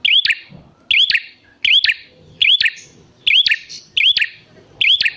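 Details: Prinia call played as a lure to make lazy or wild prinias answer: loud, sharp chip phrases with a bright upswept whistled note, repeated roughly every 0.8 seconds, with faint low background noise.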